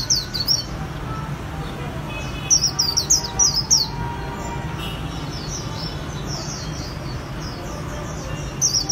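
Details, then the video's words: White-eye performing "khuyên líu" song for Vietnamese bird artisans: scattered bursts of high, slurred twittering notes, fainter trills in the middle, set against noticeable low-frequency noise. "KHUYÊN LÍU HAY NHẤT 2019"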